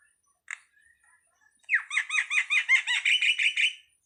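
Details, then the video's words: Starling producing a lone sharp note, then a long steady series of about twelve harsh, arched chattering notes delivered rapidly and evenly. "suwara //burung jalak//"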